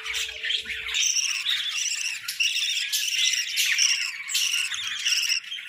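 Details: Winter-breeding budgies produce rapid overlapping chirps and whistled warbles in a lively chorus; a low hum fades out after the first second.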